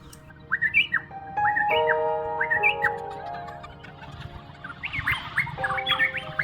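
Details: Varied honeyeaters in coconut trees chasing one another: their usual four-syllable calls break into loud, rapid, multi-syllabled calls tumbling into a jumbled cacophony during the frenzied chase, over steady background music.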